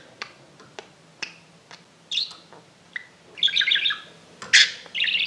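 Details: Exhibition budgerigars kept by a breeder give scattered short high chirps, then a burst of buzzy, bubbling warble near the end, in a quiet small room.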